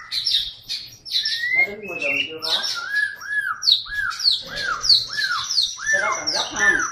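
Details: White-rumped shama (murai medan) singing a loud, varied song: high whistled slurs alternating with repeated arched, downslurred notes and scratchy chattering phrases, delivered continuously with barely a pause.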